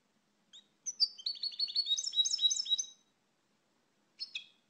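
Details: A soft opening note, then a European goldfinch's rapid jingling twitter for about two seconds, a pause, and one final double chirp.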